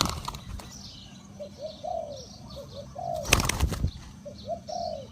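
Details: Decoy spotted dove calling to attract wild doves: repeated soft coo phrases, two quick notes then a longer curved coo, three phrases in five seconds, broken midway by a burst of wing flapping, with high chirping birds in the background.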